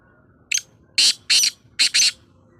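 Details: Black francolin calling: one short harsh burst, then three loud grating, buzzy notes, the last two closely paired, over a quiet background.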